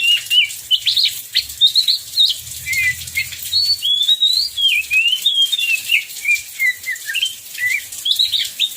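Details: Oriental magpie-robin singing during heavy rain, used as a lure to set other magpie-robins singing: loud varied whistled phrases rising and falling, rapid warbles and slurred notes, over steady rain hiss.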